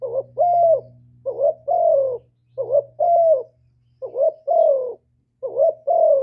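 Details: Spotted dove giving its full hạp bổi song of calling, urging and cooing, meant to stimulate decoy birds; four two-part coo phrases, a short rising hoot and a drawn-out falling coo, about every second and a half.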